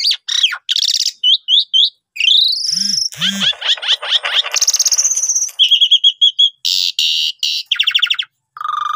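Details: Asian pied starling song used as a lure to draw other birds into singing: a loud, varied jumble of slurred whistles, rattling chatter, two low croaks, a sustained high whistle and harsh bursts, closing with a lower note.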